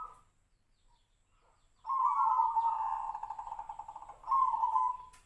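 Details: Tejoanom-style perkutut, a zebra dove whose song is likened to the sirtu-sirpo bird and judged on its monotone phrasing: after a quiet start, one long, pulsing, rolling coo ends in a clearer closing note.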